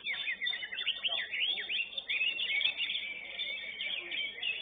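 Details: Greater green leafbird singing at a bird singing contest, a fast dense stream of high chirps, slurred whistles and sweeping notes running without pause, with faint crowd murmur beneath.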